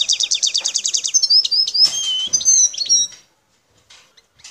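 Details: Wild European goldfinch from Algeria, El Tarf area near Bouteldja, singing a rapid string of a dozen clipped repeated notes that flows into liquid whistled slurs and twitters, then falls quiet.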